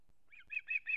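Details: Osprey at a nest in Kurzeme, Latvia, on 3 September 2024, with the adult male bringing a whole fish to its chick. Four short, slightly harsh whistled notes come in a quick series, growing louder, with faint low thumps at the start.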